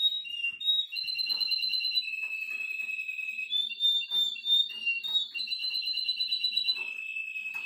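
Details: Nine-year-old male Russian canary teaching its grandchildren, singing indoors: continuous rolling trills and sustained tours at a fairly high pitch, shifting between lower and higher rolls, with faint soft clicks and chirps underneath.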